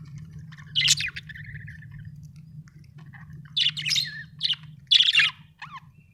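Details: Budgerigar chirping in scattered clusters of raspy, buzzy notes with a short warble, separated by quiet gaps, a low hum underneath.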